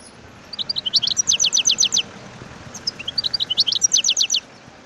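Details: Twittering song of a wild European goldfinch: two phrases, each opening with scattered high chirps and building into a fast, evenly spaced series of descending notes.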